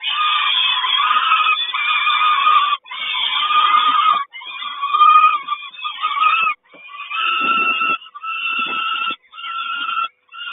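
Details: Peregrine falcon at a nest in Kawęczyn, with the mother bringing breakfast to the nest on 3 June 2022; harsh, rasping, banded calls given in long runs, broken by short pauses, loud and continuous throughout.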